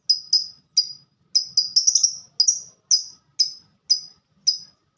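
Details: Fighter lovebird's 'ngetik' (typing) song: steady series of short, bright ticks, about two per second, with a brief cluster of overlapping notes near the middle.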